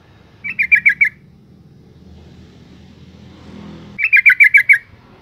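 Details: Yellow-vented bulbul female calling to stimulate males: two bursts of quick, harsh chattering, five notes then about seven notes, with low rumbling noise between.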